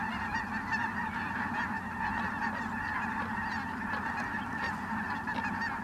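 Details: At Merced National Wildlife Refuge on 22 December 2017, incoming Ross's geese fill the air with a constant mass of short, overlapping honking calls from countless birds.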